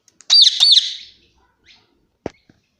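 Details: Indian ringneck parakeet kept as a pet, calling indoors: a pair of piercing, grating shrieks back to back, followed by silence and a couple of soft taps.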